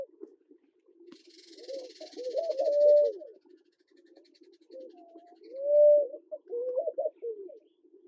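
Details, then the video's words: Namaqua dove in Kenya: short wavering low hoots build into a long, steady, slightly rising hoo, and the phrase repeats about three seconds later. A soft hiss sits higher early on over a constant low background murmur. "Namaqua Dove, male, female and call"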